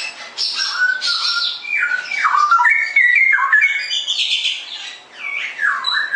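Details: Straw-headed bulbul (cucak rowo) in vigorous ngerople-style song: loud, rich, fluty warbled phrases sweeping up and down, bubbling and liquid, continuous for six seconds with brief dips, no other sounds.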